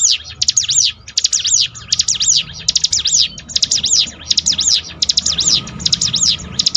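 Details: Bar-winged prinia song for building a kept bird's spirit: a long, fast series of high, rising-and-falling chirps in close groups, over a low background murmur.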